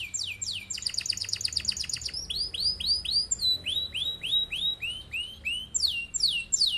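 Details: Canary in full song, used as a lure and master for other birds to imitate: a sweeping note, then a rapid rattling trill, followed by a long series of curved, descending whistles repeated about three times per second.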